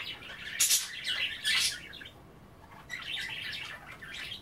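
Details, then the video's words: Budgerigars at bath time nibbling kale in water, chattering; loud harsh squawks early, then a quieter stretch and softer warbling chirps toward the end. "A day in the life of a Budgie - kale bath and chattering"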